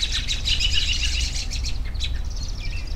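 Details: Birds chirping for relaxation: a dense chorus of high, rapid tweets and trills overlapping throughout, with a steady low rumble underneath.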